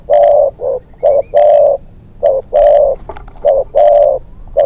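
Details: Spotted dove used as a hunting decoy, a young bird on its second training outing, giving loud low cooing phrases of short notes and longer drawn coos, several in quick series.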